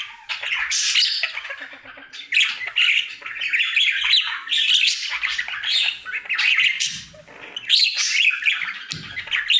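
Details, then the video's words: A pet male budgerigar sings his daily routine indoors, loud bursts of scratchy chatter, squawks and chirps coming in irregular phrases with short gaps, warbling steadily throughout. "Budgie singing for 1 Hour Happy song!"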